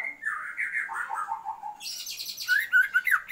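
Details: Female Oriental magpie-robin calling to the male to raise his breeding drive: slurred, wavering warbled notes drifting downward, then a harsh buzzy burst and a few sharp, bright chips.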